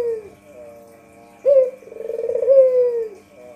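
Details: Barbary dove, white form, cooing for luring birds: a short accented note, then a trilled, rolling low coo ending in a drawn-out descending tone, followed by a softer hum.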